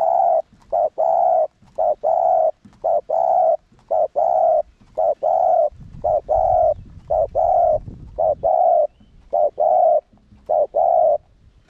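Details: Spotted dove used as a lure bird, giving its deep cooing to stir other doves into calling: low, mellow paired coos repeated steadily, about a dozen phrases in twelve seconds, with faint low rumbling in the middle.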